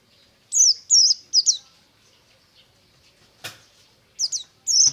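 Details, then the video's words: Buxtomi white-eye singing ngalas-style in the morning, with a few sharp, high downslurred whistles at the start, a long pause broken by one click, then more brief whistled notes. "BURUNG PLECI NGALAS DI PAGI HARI"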